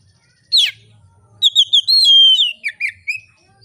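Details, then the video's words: Oriental magpie-robin in relaxed, full-throated song meant to spur other magpie-robins into singing: a single sharp note, then a short run of clear whistles with one long sustained note dropping into lower chirps. "kacer gacor ngeplong santai, sangat cocok memancing kacer lain bunyi dan gacor"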